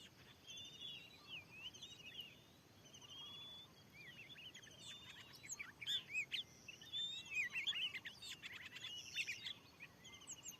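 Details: Fierce wild Oriental magpie-robin on newly cleared land responding to a lure: scattered soft whistles at first, then dense, loud runs of sharp, twisting whistled notes and chattering phrases in the second half.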